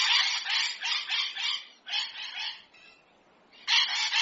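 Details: Hyacinth macaw in nature calling with a rapid string of harsh, coarse squawks, a shorter pair, a pause, then two more loud rasping notes.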